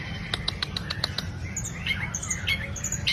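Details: Long-tailed shrike song played as a lure to set other birds singing; a quick run of sharp clicking notes followed by thin high squeaky whistles, with a constant low background hum.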